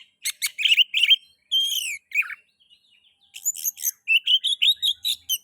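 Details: Kacer, the Oriental magpie-robin, singing to stimulate other magpie-robins: quick chattering notes, a drawn-out descending whistle, then a rapid rhythmic series of bright whistled phrases.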